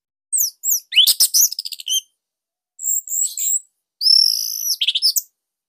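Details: Orange-headed thrush from Bali, song recorded as a master for teaching; quick descending whistles, a rattling trill, then sweet high whistled phrases in three bursts.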